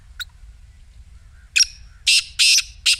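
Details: Black francolin calling, a recording meant to make a silent partridge start calling: one thin note, a pause, then a series of loud, harsh, grating notes, clustered near the end over a quiet background.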